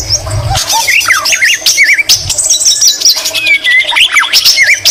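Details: White-rumped shama in full, lively song with green leafbird mimicry: looping warbled whistles that rise and fall, mixed with high buzzy notes and short chattering bursts.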